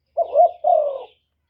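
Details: Spotted dove, recorded for luring wild doves: a single hoarse two-part coo, a rising short note then a longer, level-to-falling croon, followed by silence.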